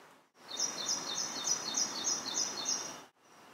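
White-throated Kingfisher giving a quick series of shrill, high notes, about three a second, alternating between two pitches over a steady background hiss.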